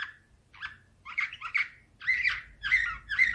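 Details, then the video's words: Canary singing in the nightingale-like Slavujar style, recorded in 2024: short bursts of buzzy, trilled notes with gaps between them, growing into rolling warbled phrases. "Uccello dell'usignolo delle Canarie Slavujar"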